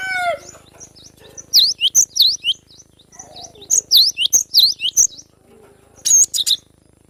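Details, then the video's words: Wild young cinereous tit singing in forest: a short descending call, then rapid phrases of high, sharp, V-shaped whistled notes repeated in clusters of three to five, separated by brief pauses. "GLATIK BATU Muda hutan suara asli alam liar full besetan"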